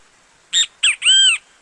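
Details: Great kiskadee, a Brazilian bird, giving one loud three-note phrase: two short harsh notes followed by a longer, drawn-out arched note, rich and ringing, against a quiet background.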